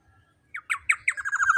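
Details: Black-naped oriole, used as a loud lure to provoke rival birds into calling: three short downslurred notes, then a harsh, nasal, wavering drawn-out note that grows louder toward the end.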